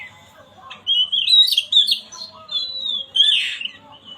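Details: Oriental magpie-robin song used as a lure to stir a bird that has stopped singing: loud, varied whistled phrases that slide and warble in quick bursts, ending with a harsher, noisier burst, over a faint low hum.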